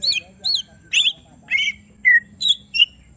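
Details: Greater green leafbird, provoked into agitation to unload its full song, gives separate sharp whistled and chirping notes about every half second, some rising, some sliding down, with a faint low hum beneath.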